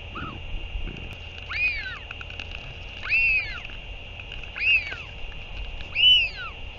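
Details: Northern royal albatross during a parent's return and chick feeding, 8 June 2023: four arching calls that rise then fall, spaced about one and a half seconds apart, with a short faint note first and constant hiss beneath.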